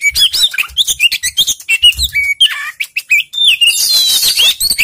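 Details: Oriental magpie-robin song for luring a bird that will not sing: clear downslurred and upslurred whistles in quick succession, then a loud harsh buzzy passage near the end, with soft low thuds early on.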